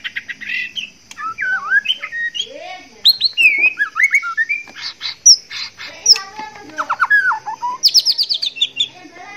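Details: A male white-rumped shama in breeding condition woos a female with an extended, varied song. Looping whistles and warbled slurs mix with sharp clicks, and a rapid burst of repeated high notes comes near the end. A steady high hum runs behind.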